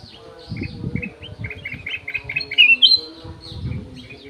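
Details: Aviary golden-fronted leafbird delivering a steady string of short repeated chirping notes that build into loud twisting whistles; dull low thumps and hum sound alongside.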